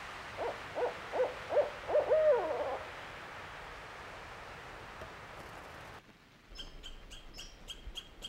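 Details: A male Barred Owl in the northern Alberta boreal forest in spring gives a territorial call: a quick run of five deep hoots ending in a drawn-out, wavering note, followed by a different bird's high, repeated calls.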